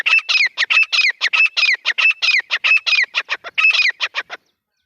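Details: Grey francolin (Francolinus pondicerianus) calling: loud, harsh, rapidly repeated squawking notes, some with a falling whistle, in a steady run of about twenty calls.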